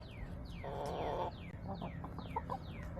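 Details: Backyard chickens filmed by a coop camera on March 30, 2024: a drawn-out, harmonic hen squawk about half a second long, with quick high descending chirps from other birds all around and low rumbling underneath.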